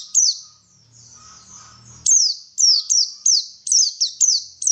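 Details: White-eye song intended to make a bird sing: a soft high twitter with a faint low hum, then a rapid string of loud, sharp, high descending chirps.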